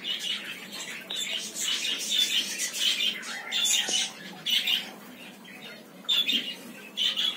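A cockatiel gives harsh, raspy squawks and chirps in uneven bursts.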